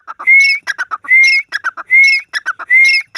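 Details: Grey francolin (Ortygornis pondicerianus), call.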